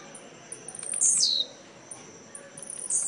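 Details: Blue-black grassquit (tiziu) singing in a songbird tournament at Jacarepaguá, Rio de Janeiro, Brazil, on 18 November 2017. Two short, high buzzy notes swoop downward, one near one second and one at the end, over a faint hiss.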